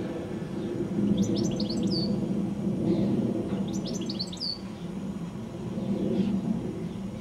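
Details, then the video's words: Evening song of a goldfinch perched high on a telephone wire shortly before sunset: two quick clusters of thin, tinkling twitters and a downslurred whistle, about three seconds apart, over constant low-pitched background hum. "Goldfinch Singing a song"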